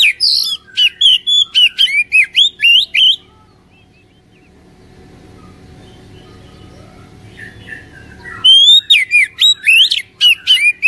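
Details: Oriental magpie-robin lure song for stimulating a reluctant caged bird: quick, varied whistled phrases at the start, several seconds of low background rumble, then the fast bright whistling resumes.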